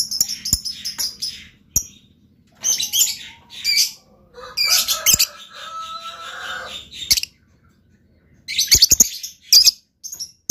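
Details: Lovebird singing in long runs of harsh, high twittering chatter mixed with sharp single chirps. A steadier, lower tonal sound runs through the middle, with pauses between bursts.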